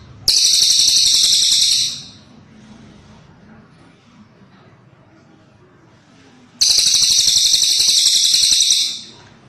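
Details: Cililin bird gives two bursts of a shrill, rapid high trill, each lasting about two seconds and separated by a quiet pause of roughly four seconds with faint background murmur.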